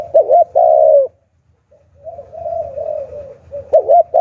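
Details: Spotted dove decoy bird giving a 'hạp bổi' style call used to lure wild doves: loud, mellow, hollow coos, two short bursts and a long note, then softer, wavering drawn-out cooing, with a low rumble beneath.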